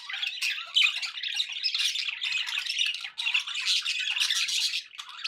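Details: Several pet budgies keep up a continuous, busy warble of raspy chirps, squeaks and short squawks that layer into one unbroken stream of chatter across the whole stretch.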